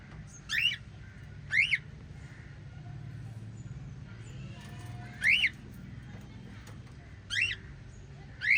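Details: White lovebirds, five kept together, produce five strident, rasping chirps spaced one to two seconds apart, each rising then falling in pitch, over a soft low hum.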